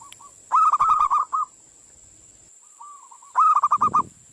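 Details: Trilling coo of a zebra dove played to lure wild doves into answering: two bursts of fast, bubbling rolled notes with softer lead-in coos, over a steady high-pitched whine.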